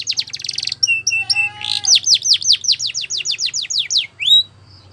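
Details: Belgian canary champion song used for training young canaries: a fast, varied run of high whistled phrases, a trill, a low note, then a string of quick descending sweeps repeated about four times a second, ending in one rising note.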